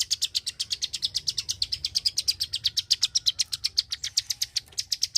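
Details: Indonesian Klik-klik bird, singing very actively: a fast train of bright, high clicks, roughly eight per second, evenly spaced and continuous through five seconds.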